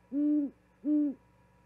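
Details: Owl calling at an osprey nest camera in Charlo, Montana, 13 February 2022, bringing a vole to its mate and calling until she answers: two low, even hoots of about a third of a second each, spaced under a second apart, quiet background.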